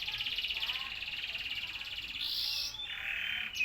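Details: Canary singing a fast, high rolling trill that holds steady, then jumps to brighter, higher notes and a lower buzzy phrase near the end.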